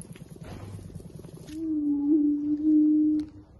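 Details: Attwater's prairie-chicken booming, recorded close up in summer 2022: one deep, steady hooting note held for nearly two seconds, preceded by soft rustling noise.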